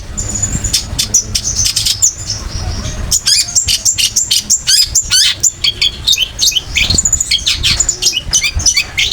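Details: Master song of a long-tailed shrike for tutoring other birds, a fast jumble of high sharp chips, rising whistles and scratchy notes delivered without pause.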